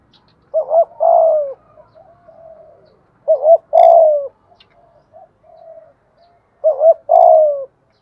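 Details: Decoy spotted dove of the thổ bầu voice style coaxing wild doves to answer; three phrases of a quick double coo then a long sliding note, about every three seconds, with soft low murmurs between and otherwise quiet.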